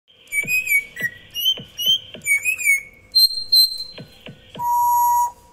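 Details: A pet African grey parrot, skilled at mimicking ringtones precisely enough that phone owners check their phones, imitates a ringtone: quick bright warbling whistles with soft clicks, ending in one steady, electronic-sounding beep.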